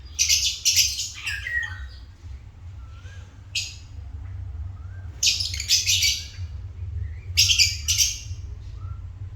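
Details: African lovebirds uttering loud, shrill, grating chirps in short clustered bursts every two seconds or so, with quieter rising whistled notes between bursts and a constant low background hum.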